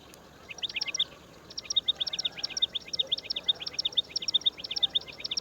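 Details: Indian roller chick in the woods: quick bursts of high, scratchy chirps, paired and repeated about twice a second after a short quiet start, with a brief pause near the middle, over a faint background hiss.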